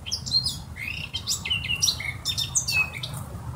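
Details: Varied, clear whistled notes and quick chirps from a Eurasian blackcap tumble together in a lively warbling phrase, with faint low background rumble.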